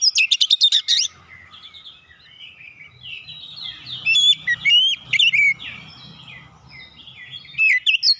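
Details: Magpie-robin (kacer) in steady song to lure a quiet bird into singing: an opening harsh chatter, murmured notes, then clear rising and falling whistles with scratchy fragments between.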